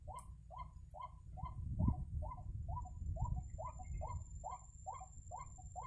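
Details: White-breasted waterhen calling beside a snare trap, a steady series of hoarse arched notes about two per second, loud and clear over a constant low rumble, with a sharp click at the start.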